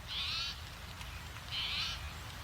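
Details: Two Spotted Towhees calling in oak scrubland at Crestline Ecological Preserve, San Diego County foothills, California, November 2025; two high, harsh, buzzy mewing calls, each under half a second, about a second and a half apart, over a low rumble.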